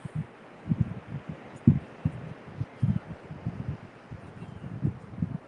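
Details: Irregular low dull thumps and knocks, like handling or wind buffeting, recur over a quiet background with no animal calls.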